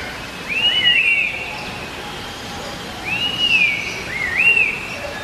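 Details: Trochalopteron laughingthrush giving clear looping whistles, a slurred rising-falling note then a quick upturned one, heard twice against a constant hiss.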